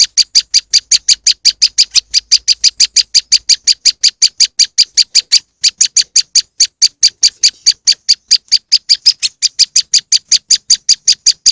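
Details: Moss wren lure: an extended, rapid sequence of piercing high chips, around six per second, briefly broken near five seconds.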